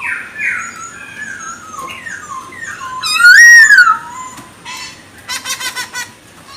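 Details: Song of a Chinese hwamei, played to excite other birds: soft varied whistles lead to a loud wavering slurred phrase, followed by a burst of rapid buzzy notes.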